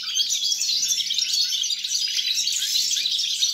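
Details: European goldfinch song on 29 December 2022. Busy, bright, liquid twitters stream continuously, high and jangling, with a faint low hum below.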